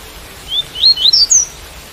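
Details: Tui tui song of a double-collared seedeater, with rain sound: a quick phrase of four or five bright ascending chirps, crisp and whistled, finishing on the highest note.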